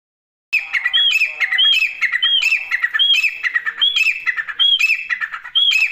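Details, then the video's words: Partridge (Irani teetar), labelled as teetar chicks, gives harsh, squawky calls, each with a high arched whistle, repeated steadily about every three-quarters of a second, with no other clear sounds. "دیسی تیتر کی اواز گورا تیترirani teetar ki awaz | teetar awaz | teetar chicks"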